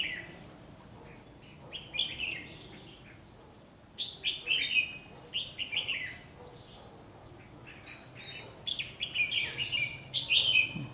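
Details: Red-whiskered bulbul in competitive song, clusters of rapid chirpy warbled notes in several bursts over background hiss and a faint steady high tone.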